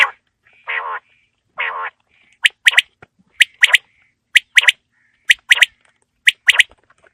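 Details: Quail calling on a cold winter evening: two rasping nasal notes, then a steady series of sharp clicks each paired with a short buzzy note, about once a second, with faint thin whistles between.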